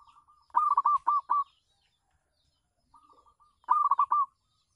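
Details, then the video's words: Zebra dove of local stock cooing from a house terrace as a decoy for wild doves; two bursts of quick, rolling coos separated by a pause, with a faint soft coo run before the second. "perkutut lokal manggung di teras rumah bagus untuk pancingan"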